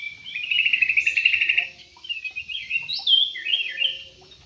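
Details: Loud, fast trilled chatter from a yellow-vented bulbul in an aviary, followed by several bright, bouncing whistled phrases that rise and fall.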